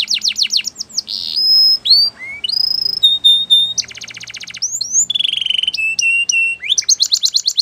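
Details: Canary singing a training song of varied phrases: quick descending chirps, level whistles, rising swoops, a dense buzzy rattle and a closing series of fast chirps, all high and loud.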